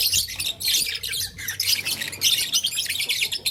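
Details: Lovebirds of blue, lutino and green colour play with a flower, chattering in quick, bright high-pitched chirps and rasping squawks that come in close bursts, over a faint constant hum.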